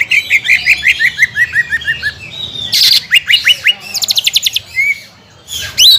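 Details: Greater green leafbird giving pancingan song meant to make contest birds sing: a string of falling chirps, a loud harsh burst, quick upswept notes, a rapid high rattle and a final rising whistle.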